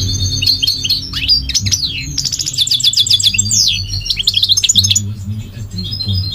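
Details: Goldfinch in full song: a dense jumble of sharp twittering notes, quick rattles and swooping slurs, repeated several times a second, over a low background drone.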